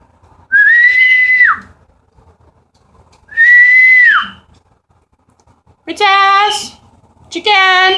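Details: Pet cockatiels (two females, one male) in another room answer their owner's long, loud whistled flock call in the morning with short, harsh, buzzy contact calls, signalling where they are.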